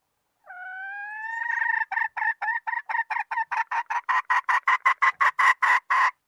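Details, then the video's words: Hen cackling: one long drawn nasal note, then a run of short, evenly spaced clucks that quicken and grow louder, around three per second, with no other sounds. "Suab poj qaib seev"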